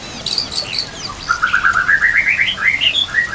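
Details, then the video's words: White-rumped shama training recording with mimicry fill-ins, over nature sounds and trickling water: a few high scratchy chips, then an even series of about a dozen quick whistled notes climbing steadily in pitch. "MASTERAN MURAI BATU ISIAN komplit"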